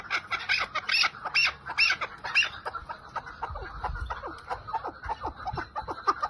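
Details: ['Chukar partridge of the type called lal, giving a run of short, harsh chirping notes that repeat irregularly at about two per second. The notes are loudest early on, then fade into quieter, clipped calls.']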